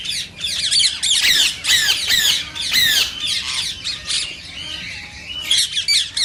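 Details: Rose-ringed parakeet voice, said to stir other parakeets to sing and mate: rapid shrill screeches in uneven clusters, several calls overlapping at once, with louder bursts near the start and middle and a brief lull before a final flurry.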